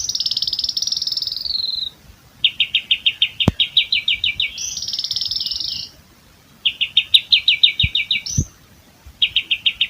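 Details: Asian pied starling (Gracupica contra) gives a long, unbroken 'filled roll' song: a high whistled phrase, then rapid repeated chip notes strung together with imitated calls of more than three other bird species, with only brief pauses.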